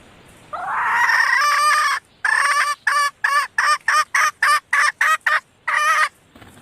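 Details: Female red junglefowl, a lure call to draw in males: one drawn-out harsh squawk, then a fast series of about ten short, raspy clucks in quick succession.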